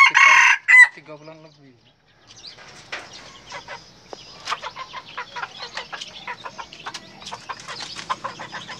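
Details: Crow of a red junglefowl cock, kept alongside a brugo fowl: a brief, loud, strained burst opening the recording, a short quiet gap, then soft, scattered clucks and chatter.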